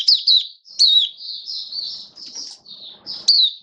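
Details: Hobby-kept caged white-eye, build-up form song recorded 19 September 2022: several high thin warbled phrases with bright sharp onsets, some notes drawn out and sliding downward, separated by short gaps.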